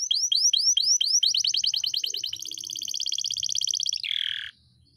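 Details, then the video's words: Canary singing a long rolling tutor song for caged birds: repeated high descending whistled sweeps, speeding into a rapid trill, then a very fast rolling series, closing with a lower buzzy burst before silence. "masteran kenari gacor,gacor (durasi) panjang ngeroll"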